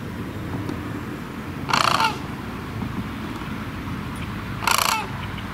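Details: Sandhill cranes give two short, loud rattling calls about three seconds apart over steady low background rumble.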